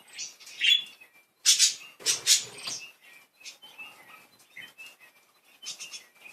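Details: Playful pet budgerigars chattering: bursts of scratchy, buzzy chirps mixed with short thin whistles, loud clusters around one and a half to two and a half seconds, then softer warbling notes.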